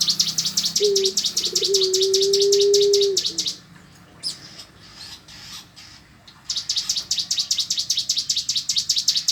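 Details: Cigun singing ngebren style: fast, high, rattling bursts of even notes at the start and again near the end, a gap between; a steady low human hum is heard in the first seconds.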